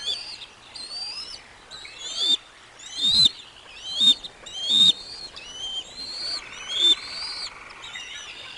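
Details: Bald eagles at the Decorah North nest with eaglets, lunch being delivered, dated 05 06 2022: high whistled, chittering calls repeated roughly once a second, each note rising then falling, with a faint steady hiss behind.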